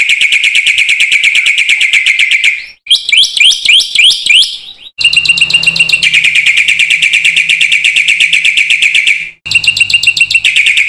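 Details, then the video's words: Black-winged myna singing with a full repertoire to prompt quiet birds: continuous rapid, harsh chattering trills, a brief passage of squeaky, warbled notes, then more grating trills over a faint low hum. "suara burung jalak putih GACOR FULL ISIAN ampuh buat MASTERAN PANCINGAN jalak macet bunyi AGAR GACOR"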